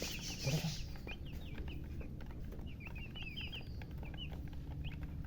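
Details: Newborn chicken chicks chirping: an opening burst of clustered peeps, then scattered high, bouncing chirps with short gaps. A constant low hum runs beneath.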